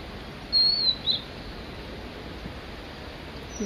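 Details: A single brief whistled phrase from a male Blue-and-white flycatcher on Mount Migita, one high wavering note with a short flourish, then near silence.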